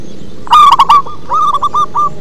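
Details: Deep-voiced song of a local zebra dove, with one loud phrase of four fast rolling coos followed by a quieter, evenly spaced string of shorter coos.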